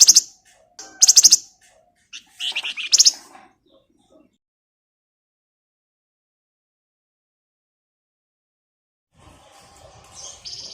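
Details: Male flamboyan lure song with ngebren trills: loud high buzzy bursts in the first few seconds, then long silence before soft chirping resumes.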